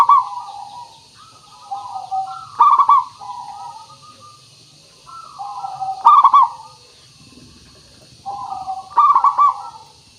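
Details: Zebra dove, local bird with a strong clear voice, used as a lure: three cycles of gentle cooing runs ending in a loud rattling phrase, about three seconds apart, with faint low rumble and steady hiss.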